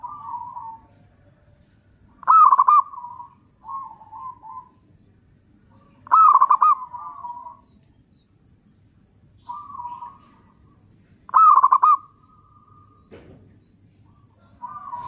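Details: Local zebra doves calling back and forth, used as a lure for wild doves. Loud pulsed coo phrases repeat about every four seconds, answered by softer rolling coos. A brief low thump is heard near the end.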